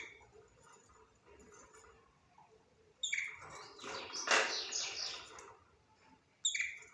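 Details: Budgerigar chattering: after a quiet, faintly chirping start, a dense burst of scratchy, noisy warbling chatter swells in the middle, then a short sharp chirp closes the stretch.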